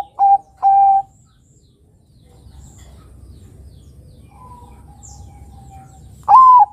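Zebra dove giving clear, mellow cooing notes: two short ones at the start, a faint drawn-out note midway, and a loud rolling coo at the end over low background rumble.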